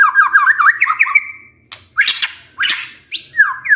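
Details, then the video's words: White-rumped shama in a cage giving quick looping whistled notes, then harsh rasping bursts and a falling slurred whistle. "Pancingan Murai Batu Bongkar Isian"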